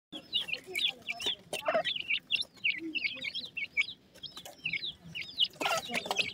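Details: Dakhni teetar (francolin) chicks calling: a busy stream of short, high, bending chirps and peeps that overlap constantly, several chicks at once, with occasional louder broadband clicks and knocks in the background.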